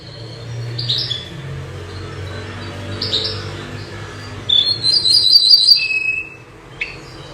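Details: Common nightingale, locally called bouh zarhouni or minyar, a bird said to sing by day and by night: scattered high whistled notes, then a quick bright trill of repeated notes, ending in a sustained thin whistle over a low steady hum.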